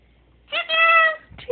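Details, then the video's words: Pet Moluccan cockatoo indoors, vocalizing as if telling its owner about its day: one sustained, harmonic, nasal cry of about half a second, preceded by a short note, with a soft clipped sound after. "Chicken telling Rickey about her day."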